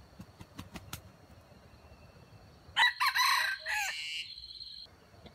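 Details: Wild jungle chicken crowing, played as trap bait to lure wild chickens: a few sharp knocks at first, then one loud, harsh, rising-and-falling crow lasting about two seconds, ending on a held strained note.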